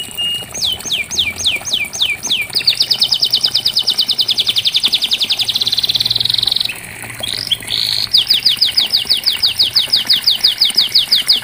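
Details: Canary song made of long, fast trills of high looping notes repeated several times a second, switching between note types with a brief pause midway, and a faint low hum beneath.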